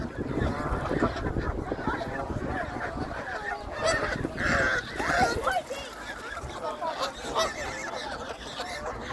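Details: Canada geese fighting: a dense, overlapping clamour of harsh, nasal honks from many birds, irregular and agitated, with a louder burst of calls near the middle.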